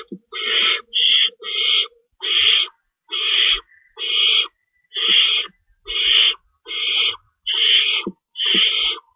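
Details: Feeding time at an owl nest, 3:53 AM, March 25, 2012, as an adult tears up stored rabbit for the young. Loud, harsh screeches repeat nearly every second, with a quick double burst near the start and faint thumps.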